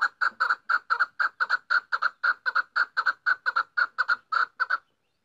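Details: A female chukar calls in maskati style, giving evenly paced, harsh doubled chuck notes for about five seconds before going quiet.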